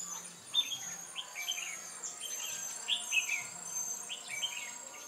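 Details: Red-whiskered bulbuls during trapping with a decoy bird on 8 October 2017: dense, overlapping chirpy warbled phrases in rapid succession, several birds apparently singing at once, over a constant high-pitched background hum.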